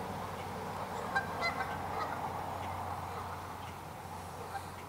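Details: Several Canada geese honk at a mad mute swan, giving loud, rapid, uneven nasal honks that overlap in a busy flock chorus over a low background hum.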